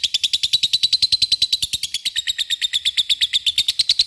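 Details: A lovebird's ngekek, the long trill used to call and provoke rival birds: an uninterrupted, fast series of high, piercing chattering notes, evenly paced from start to finish.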